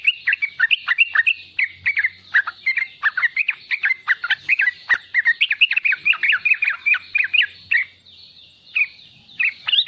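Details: Lively young sooty-headed bulbul giving 'riwikan' chatter meant to prompt other bulbuls to sing; crowded run of sharp, up-and-down slurred notes, ending in a pause and a few final bursts.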